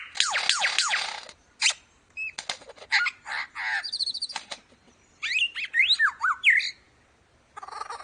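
A lyrebird pours out a varied medley of harsh chattering bursts, clicks, rising whistles and looping warbles, switching abruptly between sound types every second or so.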